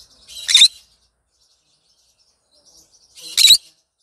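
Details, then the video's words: Happy green conure calling in the morning: two loud, harsh, raspy screeches about three seconds apart, with brief soft chatter before each and near-silence between. "Green conure sing a song in the morning happy bird"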